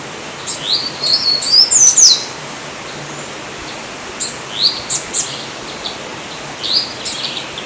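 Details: Yellow-olive flycatcher (Tolmomyias sulphurescens) giving sharp, high, upslurred whistled notes, several run close together in the first two seconds, then further single rising notes spaced a second or two apart, over steady faint background hiss.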